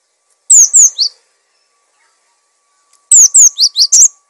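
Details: Cinereous tit in full song, used to train and lure other birds: a three-note phrase of shrill falling whistles, then after a gap a quicker six-note run, notes varying slightly in pitch.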